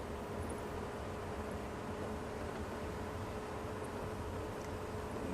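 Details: Constant hiss with a steady low hum continues throughout, with no animal call heard.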